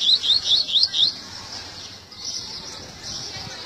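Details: Seedeater giving a 'tui tui' style song: five quick, high chirped notes, each rising then dipping, packed into the first second, followed by a faint steady hiss.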